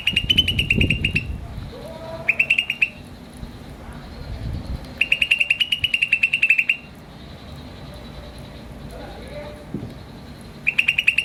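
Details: Green starling giving repeated runs of rapid, bright chirps, several bursts of roughly a second or more separated by short gaps, with faint softer calls and low thumping noise in between.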